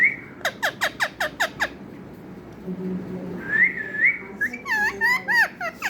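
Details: Talking parrot opening with seven quick descending chirps, then a wavering whistled tone and a few looping harmonic notes.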